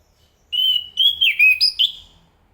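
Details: Zoothera interpres, the Enggano thrush, delivering a flowing whistled song: a long level note followed by several quick rising and falling slurs.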